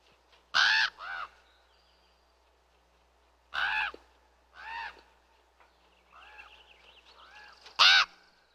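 A raven gives harsh, hoarse croaks in short bursts, often a loud call followed by a softer one, with a few quieter throaty notes between.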